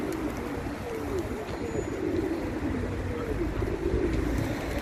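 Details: Several pigeons cooing together, low gurgling coos rising and falling in short phrases, set against continuous vehicle noise and faint voices.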